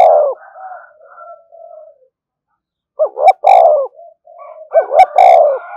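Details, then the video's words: Spotted dove cooing to provoke other doves. A long falling coo and soft trailing murmurs, then two phrases of two short rising notes and a fuller descending coo. Sharp clicks and a thin whistle sound. "tiếng chim cu gáy kích bổi"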